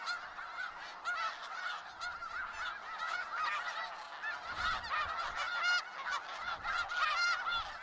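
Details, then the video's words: Large gathering of snow geese in Skagit Valley, eight seconds of unbroken honking chorus, dense nasal calls layered thickly with occasional louder yelps and brief low thumps. "Sounds of Snow Geese"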